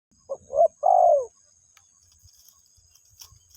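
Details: Spotted dove calling to its mate: two short soft notes followed by a longer, drawn-out falling coo, then quiet with a faint steady high tone in the background.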